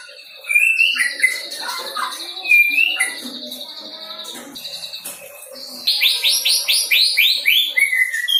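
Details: Young white-rumped shama practising song material: varied whistles, slurred notes and a fast series of buzzy, repeated phrases near the end, over a continuous high background hum.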